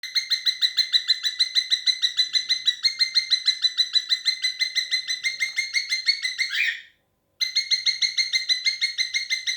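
A cockatiel gives a rapid, steady run of bright, scratchy chirps, briefly pausing before resuming.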